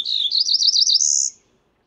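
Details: A single close Cerulean warbler song with a clean start. Slurred notes lead into a rapid string of wavering buzzy notes that climb and end in a high, hissing buzz, all within about one and a half seconds.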